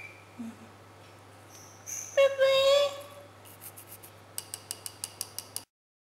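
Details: Talking lovebird Pepe says his own name after a person does: a brief speech-like voiced phrase of about a second, then a quick run of dry ticking clicks over a low hum.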